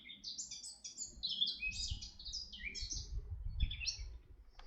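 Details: Red-backed shrike at Artomaña, Orduña, Bizkaia, Spain, 40 km from Bilbao, 2025: a quick run of high chirped notes, sliding and overlapping, for about three seconds, then a pause and a few more, over low rumbling background noise.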